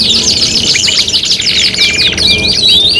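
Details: Five-in-one tutoring material for competition canaries: fast buzzy trills and clipped chirps crowd together, then several short flat whistled notes appear near the end.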